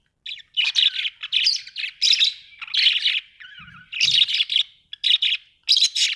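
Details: Continuous chattering warble from Australian budgies: dense, rasping high chirps repeated in quick bursts, with a softer descending note and two low thumps midway.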